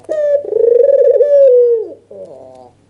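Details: Excited albino white dove with red eyes in a nodding display, its voice aimed at provoking a reply. One long, rich, pulsing coo slides lower at its end, followed by a soft short note.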